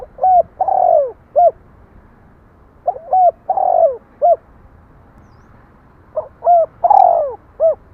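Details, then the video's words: Three repeated cooing phrases from a spotted dove, spaced roughly three seconds apart. Each phrase is two quick hollow coos, a drawn-out purring coo that falls in pitch, then a short final note. "Tiếng chim cu gáy"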